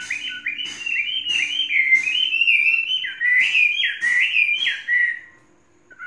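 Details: Chinese hwamei, a tame faultless bird three seasons old, sings a dense unbroken warble of loud whistled slurs, nearly four notes a second, fading into silence at the close.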